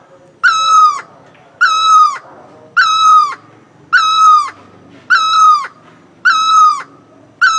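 A great barbet gives a loud, mournful, nasal wail, each note slightly falling and repeated steadily about once a second. Faint background murmur only.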